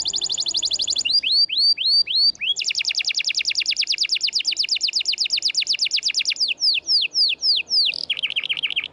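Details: Canary in full, energetic song, recorded as tutor material for canaries that have stopped singing: a fast buzzy trill, then repeated upslurred whistles, a long rapid rolling tour of clipped notes, and downslurred notes ending in a lower trill.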